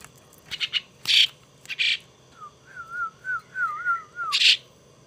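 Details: Pet starling chick, gifted and being tamed, utters loud harsh squawks; between them a soft wavering whistled phrase rises and falls several times before a final raspy call.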